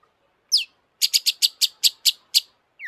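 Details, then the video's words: Long-tailed shrike singing vigorously, used as a lure to excite other shrikes: one high downslurred whistle, then eight harsh, buzzy, broadband notes in an even rapid series about five per second, ending with another falling whistle. "kicau burung cendet gacor FULL EMOSI,, untuk PANCINGAN CENDET AGAR BUNYI jadikan BURUNG PENTET GACOR"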